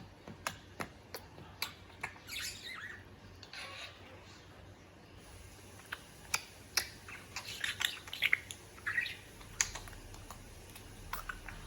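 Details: A male budgerigar kissing his reflection in a mirror gives soft, scratchy warbling chatter between sharp, repeated tapping clicks.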